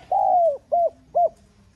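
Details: Fragment of a spotted dove's urging coo in the 'giọng son' style, for stimulating decoy birds: one long, gently falling hooted note followed by two short clipped hoots, clean and close.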